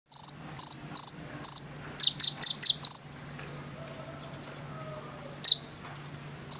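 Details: Konin, a bird in energetic full song, giving short sharp high chirps in spaced bursts, then a quick run of four notes, with quiet gaps between.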